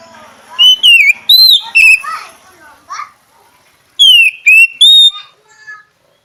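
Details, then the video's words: Oriental magpie-robin song of clear, slurred whistles that dip and rise, delivered in two runs of three or four notes with a softer twitter between. "SUARA BURUNG KACER"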